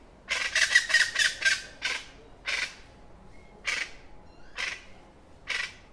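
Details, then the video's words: Plain chachalaca giving a rapid burst of harsh, grating notes, then slower single raspy calls spaced about a second apart. "kicauan burung Plain chachalaca"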